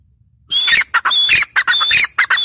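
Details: Female grey francolin calling: harsh, squawky notes carrying a clear whistled tone, given in quick back-to-back bursts after a short silent start.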